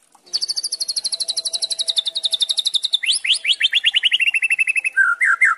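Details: A White-rumped shama gives a rough "kretekan" rattle: a fast, high trill of about ten notes a second, each series sliding lower in pitch, ending in a few slower, lower notes.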